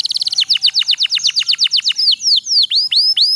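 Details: Canary with long continuous trill, used to provoke lazy canaries to sing: a quick stutter, then steady repeated falling notes about four per second, shifting into sweeping and upward-curling whistles.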